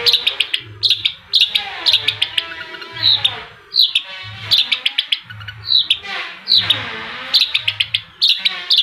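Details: Long-tailed shrike amid engine noise: short clusters of sharp, clicking, scratchy notes repeated roughly every second, alternating with whooshing, wavering machine sounds and a low pulsing drone.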